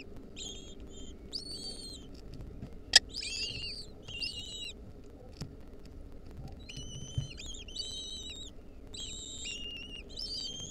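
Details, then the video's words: Repeated high squealing bursts from wild lesser kestrel chicks as their mother brings them a mouse, clustered in two groups with a quiet gap between, a loud click near the start. "Lesser kestrel nestlings get fed a mouse by their Mom."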